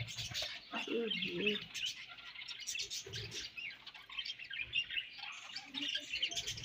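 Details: Quiet, steady twittering from budgerigars during breeding season, a busy layered chatter of high chirps with a few lower squeaky notes and light knocking sounds.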